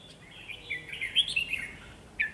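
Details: Trapping decoy red-whiskered bulbul singing hard to lure a wild bird; one flowing, slurred, warbled phrase of bright whistles, then a short sharp note at the end.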